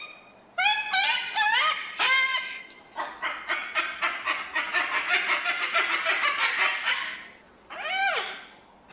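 A cockatoo gives a few loud, harsh squawks that rise and fall, then a fast run of raspy screeches and one final squawk.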